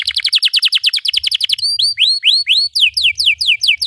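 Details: Canary in long, energetic song, meant to teach young canaries and restart birds that stopped singing. A fast rattling trill of repeated sweeping notes gives way to slower upward-curving whistles, then quick downward-slurred notes, all high-pitched.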